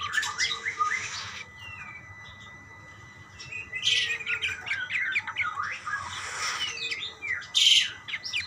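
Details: Budgerigars calling back and forth in bouts of twittering chirps and scratchy notes, separated by a quieter pause, with a loud harsh burst near the end.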